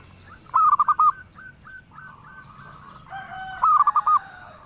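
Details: Local zebra dove singing loud bursts of quick rolling coos, spaced softer notes between them, with a second dove-like voice overlapping in the later part.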